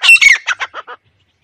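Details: Grey francolin call, played as a hunter's lure: a short burst of harsh, loud notes that starts high and strained, then falls into four or five shorter, lower clucks, all within about a second.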